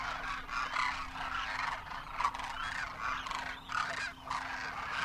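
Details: Crowds of Demoiselle Cranes, adults and juveniles on their first winter in Rajasthan, India, calling in flight: many rolling trumpet notes overlapping in uneven bursts, a few louder calls standing out, over a low steady hum.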